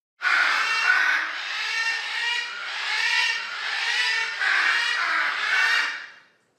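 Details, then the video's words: A noisy, social mixed flock of macaws in the Amazon rainforest, probably mostly Scarlet Macaws with a lower Hyacinth Macaw call: harsh, grating screeches overlapping in long raucous bursts, with a deeper, rougher voice mixed among them. "That is a mixed flock of Macaws. They are super noisy, social birds. From my"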